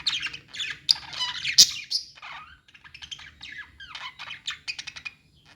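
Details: Budgerigars in a pet store: dense bursts of bright, scratchy chirps and warbles over the first two seconds, then softer, broken twittering notes with short gaps, with faint low hum underneath.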